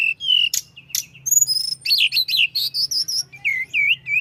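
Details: Tledekan gunung flowerpecker in lively continuous song used to provoke rivals: high whistles and sharp clicks, then a busy stretch of rapid buzzy notes and finally repeated looping whistles, faint low hum beneath.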